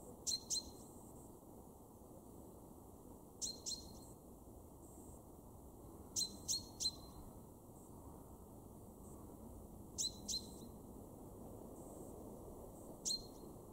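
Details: Male common chaffinch calling in a garden at Weener, East Frisia, Germany, March 2023: a steady series of paired, bright, high 'pink' calls roughly every three seconds, each note dropping quickly to a brief ringing tone.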